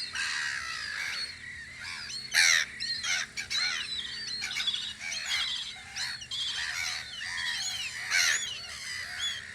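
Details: On Audru polder in spring, gulls at a guard post give a continuous mix of harsh cries and sharp squawks, with some louder calls standing out among many overlapping birds.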